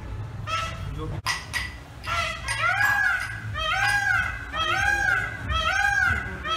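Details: Indian peafowl perched on a pole, giving loud nasal arching calls repeated roughly once a second, each rising then falling, over steady background rumble.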